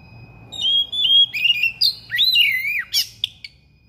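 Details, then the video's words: Thick-billed kacer (magpie-robin) singing sharply and persistently, unloading its mimicked repertoire: sustained whistles followed by looping, sliding notes that rise and fall steeply, then a few clipped buzzy notes. "KACER PARUH TEBAL SUARA PERIH NGOTOT BONGKAR ISIAN"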